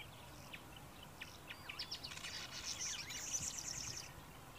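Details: A male southern masked weaver singing in the early morning: a busy, wheezy song of rapid chatters, buzzy notes and swizzling sweeps high in pitch, over faint background rumble.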